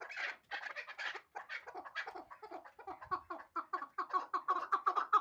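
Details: A hybrid chukar partridge gives a run of clucking notes about two and a half per second, the first few loud and raspy, then settling into lower, evenly spaced chucks that grow louder toward the end.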